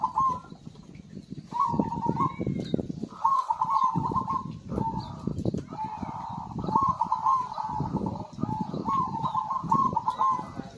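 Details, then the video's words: Zebra dove singing vigorously, used to get silent birds singing again: a series of short, purring, trilled coos repeated every second or two, with a constant low clattering underneath. "PERKUTUT GACOR AMPUH UNTUK PANCINGAN SUARA BURUNG MACET BUNYI"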